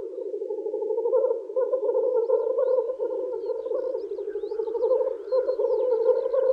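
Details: Male black grouse in spring lek display for females: a smooth, sustained bubbling murmur with soft wavering overtones, and only a few faint high chirps from other birds.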